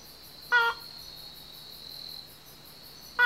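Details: On Yonaguni Island, Japan, a wild banded crake calls at night from dense thicket: one short, nasal, harmonic note, a long pause, then the start of another, with insects trilling steadily throughout.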